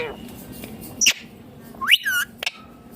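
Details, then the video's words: Indian ringneck parakeet with a couple of sharp squawks and one longer rising-then-falling screech, short clicks between, and a faint background hum. "Loud Parrot Chirping/Natural Parrot Sounds || Parrot Calling Sounds ||Ringneck Parrot Natural Voice"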